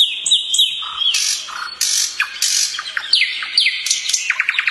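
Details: A nightingale singing in the evening, giving a rich, varied phrase: pure sliding whistles, harsh buzzy bursts and a low fluty note, ending in a rapid run of sharp repeated chips.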